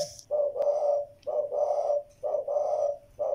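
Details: Spotted dove giving steady low cooing, short lead-in notes joined to long, slightly rough coos, repeated in a regular rhythm of roughly one per second over a quiet background.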